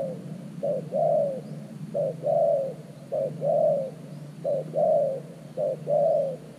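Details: A decoy spotted dove at an earthen ground trap for catching wild doves gives mellow, low coos in a regular series of six phrases, each a short clipped note followed by a fuller, slightly falling coo.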